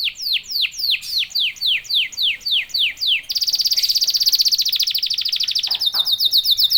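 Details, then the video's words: Canary song used to goad other canaries into singing, with a row of evenly spaced falling whistles giving way to a very fast, dense buzzing trill that continues to the end. "KENARI GACOR||038|| Jagonya memancing EMOSI kenari cepat bunyi."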